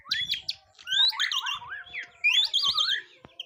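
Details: White-rumped shama at its first mental test: loud wavering whistles with rapid warbling trills, delivered in two bursts with low background noise.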